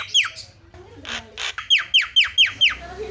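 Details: Javan myna calling as a lure to make other mynas call: two harsh noisy bursts, then a fast series of six sharp descending whistled notes about four per second.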